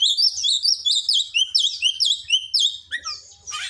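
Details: Oriental magpie-robin singing a song trained with mimicry of the cinereous tit: a loud run of high, sharply slurred whistled notes, quickly repeated in a steady rhythm, ending in a harsher buzzy burst.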